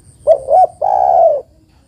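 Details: ['A female spotted dove summons the male with two quick low hoots followed by a long, rough, level coo, a call used as a lure to get lazy males singing.']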